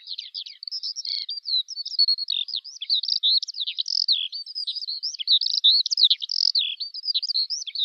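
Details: A Eurasian skylark pours out a continuous, fluttering song of quick twitters, wavering whistles and slurred notes, all high and densely strung together.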